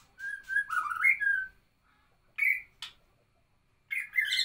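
White-rumped shama singing rich, varied phrases of clear whistles mixed with harsh, scratchy notes, delivered in short bursts separated by brief pauses.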